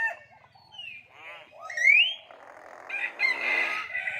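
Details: Common hill myna mimicking human speech: a falling nasal syllable, a gravelly rattle, a bright rising whistled note, then a rough, breathy, talk-like phrase.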